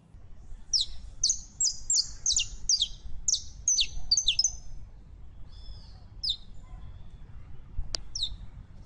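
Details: Female canary in heat calls a male to mate. A rapid run of bright chirps and short whistles fills the first five seconds, then a few scattered chirps and a single click follow.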